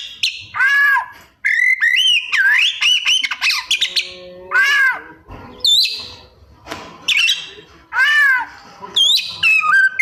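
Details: Singing Oriental magpie-robin pouring out mimicked 'isian' material: loud arched buzzy notes, sharp high upswept whistles and warbled runs, delivered in bursts with brief silences over ten seconds.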